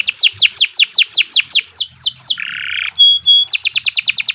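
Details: Canary song used as a training model, a long steady performance: a series of downslurred chirps, a buzzy rasping note, two clear pure whistles, then quick repeated sweeping notes.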